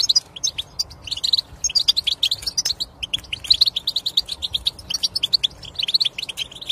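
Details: European goldfinch in steady song, used to stimulate non-singing goldfinches: quick, sweet twittering notes and buzzy chirps strung into rapid phrases, almost without pause throughout.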